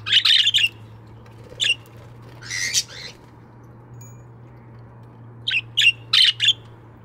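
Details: Budgerigars in an aviary in the morning, giving short harsh chirps and squawky bursts in scattered clusters, with quiet gaps between and a low steady hum in the background.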